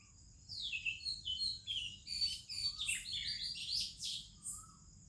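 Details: Oriental magpie-robin, Indian morning birdsong with other birds: a lively run of descending whistled notes and quick chirps packed closely together, ending in a few soft lower whistles.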